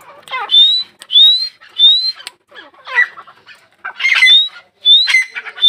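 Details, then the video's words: Female grey francolin (teetar), Dakhini type, linked to fighting: loud, shrill whistled notes rising slightly in pitch, given in quick succession about once a second, with harsh, clucking undertones between the whistles. "Teetar k awaaz| female teetar sound| dakhini teetar ladai | female teetar grey francolin"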